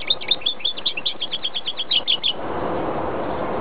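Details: Goldfinch × greenfinch hybrid singing: a fast, even stream of bright chirping twitters lasting about two seconds, then breaking off into a background hiss.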